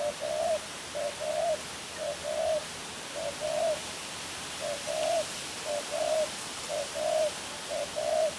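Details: Spotted dove, a contest bird, cooing in steady repeated two-part phrases, a short note then a longer wavering one, about once a second, evenly paced throughout against a quiet background.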